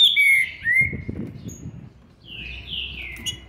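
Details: Green-winged saltator aged seven months and twenty days giving a few clear whistled notes gliding downward at the start, a pause with low background clatter, then a further pair of descending whistles.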